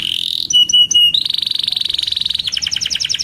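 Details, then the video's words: Canary song with distinct tours: a steady buzzy note, three pure whistled pips, a long fast rolling trill and then a run of rapid doubled chirps. "Burung Kenari GACOR Cuit Cuit EMOSI‼️Pancingan Kenari Paud Belajar Bunyi, Terapi AMPUH Kenari Macet"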